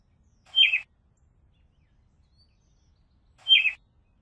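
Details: Two identical quick, high, falling chirps from a robin, spaced about three seconds apart with silence between.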